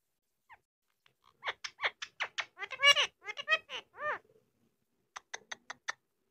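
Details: Indian ringneck parakeet kept as a pet, mimicking speech in a quiet room: quick chattering run of strident, vowel-like syllables with curved harmonic bands, loudest mid-phrase, followed after a gap by a few brief clicks.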